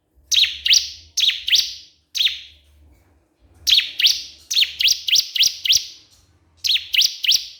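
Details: Lively crystal prinia answering a rival with clusters of bright, sweeping chirps, mostly in pairs and runs of up to five, separated by brief silences; faint low hum beneath.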